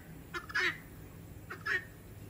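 A guineafowl gives two harsh, rasping two-part calls about a second apart, over a quiet background.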